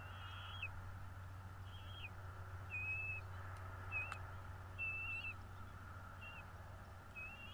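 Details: Bald eagle at a nest in Northeast Florida on 12.02.2022 at 16:09, from a nest camera: thin, high, whistled notes, slightly falling, repeated about once a second over a steady low hum.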